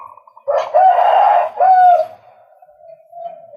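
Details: Two loud, harsh, broad-toned croaking blasts from a male White-breasted Waterhen, each about a second long, followed by a drawn-out quieter buzzing note.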